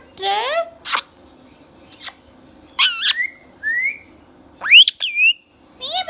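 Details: Talking green Indian ringneck parakeet, a pet bird indoors, mixes harmonic speech-like syllables with short shrill squawks and a few slurred whistles, in quick separate bursts over six seconds.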